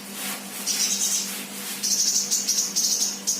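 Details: Sunbird, an untrained bird in full song, delivering extended very high, thin, rapid trilled twitters in several bursts, separated by brief pauses, above a steady low hum.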